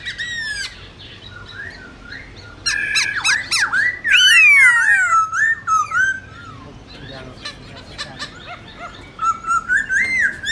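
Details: Black-throated laughingthrush in wild-style song (giọng rừng) for training young birds: bursts of harsh chattering notes mixed with loud looping whistles and descending slurs, quieter stretches between, a final rising whistled phrase.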